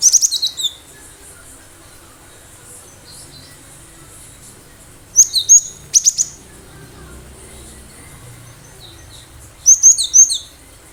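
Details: Wild-caught cinereous tit singing vigorously, used to lure other birds: three separate bursts of high, sharp, repeated whistled notes, each note dropping in pitch, with quiet pauses of several seconds between bursts.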